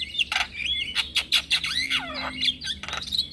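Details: Male Javan myna lure call for getting starlings to reply: quick harsh notes, a drawn-out downslurred whistle, and scratchy warbling with clicks over a short stretch.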